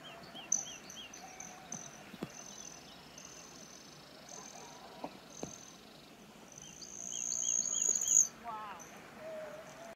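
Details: Broad-tailed Hummingbirds at Wellington Lake, Colorado, on July 2, 2022, several doing display flights: high, metallic buzzy trills swelling into a louder rising whine near the end, with other small birds chirping around.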